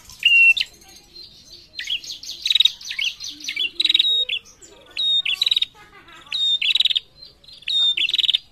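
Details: Female prinia calling to males; repeated phrases of a high whistle leading into a dry buzzing rattle, about one burst per second, with faint softer notes between.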